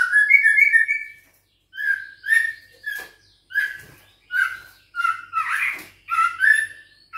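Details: Six-week-old White-rumped shama of Bahorok lineage, caged and facing a rival in training, sings a warbled opening phrase followed by a string of short scratchy chirps repeated roughly every half second.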